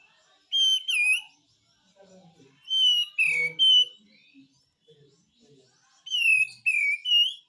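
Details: Pied triller in besetan song: paired slurred whistles dropping in pitch, repeated in three bursts, with faint low murmuring between them.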